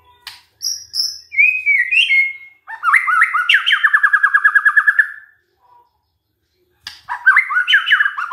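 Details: White-rumped shama song played as a lure to make other shamas sing, with high thin whistles, a sliding whistled phrase, a long fast rattling trill of rolling notes, a pause, then jumbled rising whistles.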